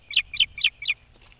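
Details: Four high, sharp whistled chirps come in quick even succession, roughly four per second, from an osprey at its boat house nest across the water from Maine's Hog Island.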